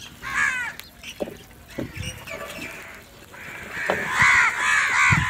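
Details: Crows in a food fight: a short harsh caw opens, then quieter knocks and scuffling, building into a dense run of loud, ragged, overlapping cawing calls at the end.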